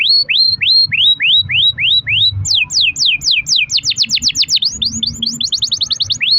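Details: Canary song kept as a lure to set other canaries singing: a tour of evenly repeated rising whistles, then quicker steep downslurred notes that speed into a rapid rolling trill, ending with a rising note.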